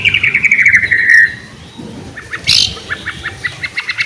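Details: Energetic white-rumped shama song meant to prompt quiet shamas to sing: a fast warbled trill at the start, a brief pause, then a sharp burst and a series of short notes repeated evenly.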